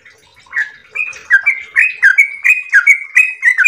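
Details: Yellow-vented bulbul starting a ropel song: soft notes at first, then loud, clear, warbled whistles building into a rapid repeated sequence of alternating low and high notes.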